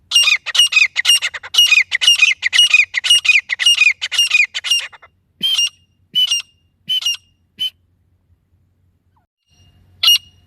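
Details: Female grey francolin calling, a sound used by hunters as a lure: a fast run of harsh, squawky repeated notes, then slower, spaced single calls with a pause before one last note.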